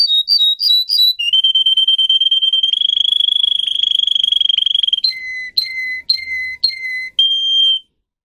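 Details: Russian canary bred for singing, recorded to tutor other canaries, opens with a few bouncing high notes, then a long buzzy rolling trill, followed by four level whistles with sharp starts and a final held tone.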